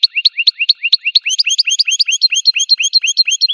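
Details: Wild American goldfinch delivering a rapid run of high rising chirps that speeds into busier double-noted twittering, each note crisp and sweet, with nothing else audible.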